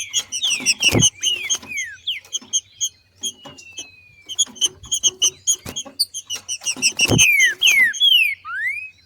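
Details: In nature, a female Green-winged Saltator sings male-style ('macheando'), meant to prompt other saltators to sing: busy high chipping with scattered downslurred whistles, a long thin glide, and sharp knocking thumps.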